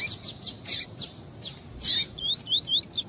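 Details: Female double-collared seedeater calling to stimulate the male, known locally as coleiro tui-tui: quick bright high chirps repeated several times a second, then a short run of clear rising whistled tui notes.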